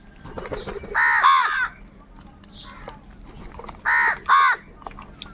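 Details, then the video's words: Crows crowing loudly as they fight for food: paired harsh, nasal caws, a pair near the start and another a few seconds later, with quieter calls and clicking in between. "Crow birds loudly crowing sounds - কাকের ডাক Crow Sound | Kaka sound and noises of crow birds"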